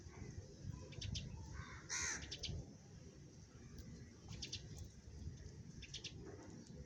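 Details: Sparrows calling while eating food: short, sharp high chirps in scattered bursts, a louder cluster near the two-second mark, over steady low rumbling background noise.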